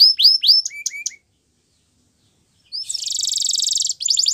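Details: Canary song used for training canaries to sing: quick downslurred whistled notes and short low chirps, a pause of about a second and a half, then a dense buzzing trill and clipped rising notes.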